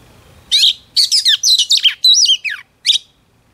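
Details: Female Oriental magpie-robin sings to stimulate a male: loud, high, varied phrases of quick twittering notes and a sweeping whistled trill, delivered in short bursts separated by brief pauses, with a quiet background.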